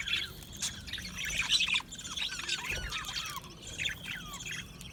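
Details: A budgerigar colony in an aviary: many birds chirping and warbling at once, a dense chatter of short high squeaks and slurred whistles with no pause, over low background rumble.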